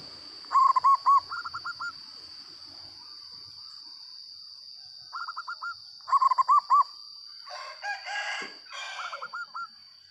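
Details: Zebra dove, a local bird, cooing loudly in rhythmic phrases of bouncing notes followed by softer rolling trills; a brief harsh fowl-like squawk breaks in near the end, and a steady high whine runs throughout.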